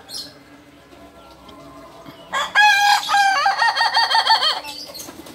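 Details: Kukuak Balenggek rooster, an original bird from Solok in West Sumatra, gives a long multi-stepped crow lasting about two and a half seconds. The crow is built from several loud, harmonic segments that break and rise in tiers, after a quiet start.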